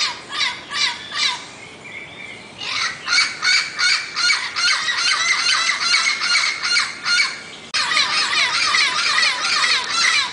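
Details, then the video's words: Turquoise-fronted amazon giving harsh, rasping squawks in a steady rhythm of about two or three per second, broken by a short pause near the start, then a long unbroken series with a brief break near the end. "O Canto do pássaro Papagaio verdadeiro"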